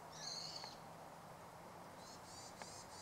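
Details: In the suburbs of Hachioji on 25 December 2012, a wintering meadow bunting (Emberiza cioides) gives a drawn-out high thin note, then a quick run of three or four short buzzy chips. A faint low hum sits underneath.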